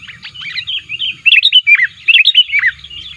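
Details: Sooty-headed bulbul calls used to lure wild bulbuls, active and pressing rivals: a lively, continuous stream of bubbly, chirping notes with quick upward and downward slurs, growing louder halfway through, with little background noise.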